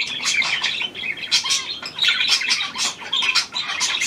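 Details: Newly hand-tamed Australian pied budgerigar, 17 February 2023: busy high-pitched chirping and squawky chatter in quick bursts, with short dips between phrases and a steady warbling undertone.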